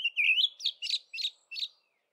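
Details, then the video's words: Olive Thrush singing its dawn chorus song in early spring: a brief warbled whistle near the start, then four quick, buzzy, high notes about a third of a second apart. "Olive Thrush singing"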